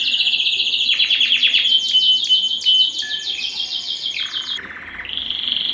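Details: Breeding-stimulation canary song: a rapid rolling trill of repeated sweeping notes, then a lower buzzy phrase and a closing higher trill.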